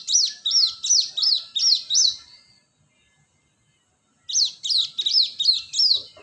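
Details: High, bright cinereous tit notes used as a lure, repeated briskly at roughly three per second in two runs of six, each note a quick rising-then-falling whistle, with a clean silent gap between runs.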